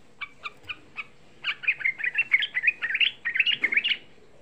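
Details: Lure song of a young sooty-headed bulbul, meant to excite other bulbuls into calling: four evenly spaced short chirps, then a fast, run-together chatter of bright, warbled notes.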